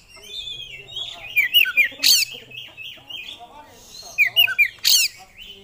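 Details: Oriental magpie-robin, a hobbyist's contest songbird, in full vigorous song unloading its repertoire of fill-in phrases: sweet varied whistles, a quick falling-note motif that repeats, and sharp bright accents.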